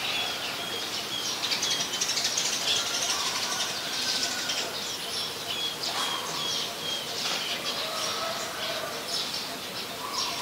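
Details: Dense chattering of high, airy chirps from scaly-breasted munias, a very common resident of Ubon Ratchathani, Thailand, on 7 January 2020. Notes overlap irregularly for ten seconds above a steady rushing noise floor.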